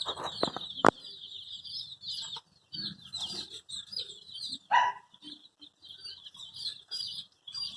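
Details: Coloured domestic chicks looking for their mother, cheeping constantly in high, thin peeps that run together in a steady stream, with a few sharp knocks and rustles.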